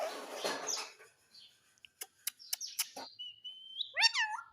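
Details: Pet parrot giving rough chatter and a series of sharp clicks, then a steady held whistle that breaks into a falling, speech-like call.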